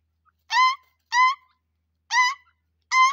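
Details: A pair of grey francolins, one giving four loud, harsh, nasal notes, each rich and ringing, spaced at uneven intervals of about a second, with quiet in between.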